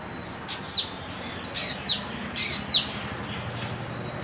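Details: Bronzed drongo uttering three pairs of short, sharp high chirps, each pair opened by a brief click-like note, spaced roughly a second apart against faint background hiss.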